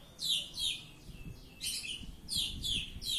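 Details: Oriental magpie-robin in ngeplong song, giving loud sharp downward-sweeping notes in quick pairs and groups, roughly three per second, separated by short pauses, with low knocking sounds in the background.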